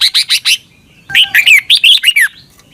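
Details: Red-whiskered bulbul from Thailand, a training song for caged birds to copy: four evenly spaced short chirps, a brief pause, then a quick run of about nine bright whistled notes, many sliding downward.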